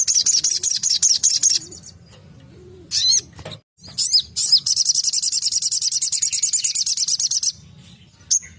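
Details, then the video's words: Sogon song: long bursts of rapid, high buzzy-chattering notes repeated in fast rhythm, broken by short gaps and a few sharp single chips, with faint low background rumble. "Tembakan burung sogon"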